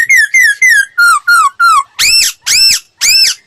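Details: Laughingthrush voice-training song: six loud, clear whistles that slide downward, evenly repeated about every quarter second. Three louder, rich, arched notes follow, each with a harsh edge.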